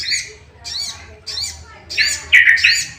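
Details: Sooty-headed bulbul sound for provoking other bulbuls to sing: rough squawked notes repeated quickly, building to a louder, dense burst of scratchy chattering at the end.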